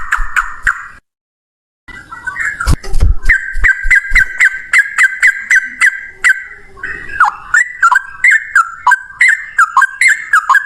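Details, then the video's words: Yellow-vented bulbul in full 'gacor ropel' song: after a brief gap and a thump, a fast chain of loud whistled notes gives way to swooping, liquid phrases repeated a few times a second. "Burung trucukan gacor ropel 1 nafas panjang volume cucak rowo"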